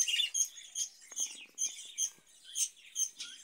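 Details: Caged breeding budgerigars giving bright, squeaky chirps about three times a second over a scratchy warble, with faint clicks in the background.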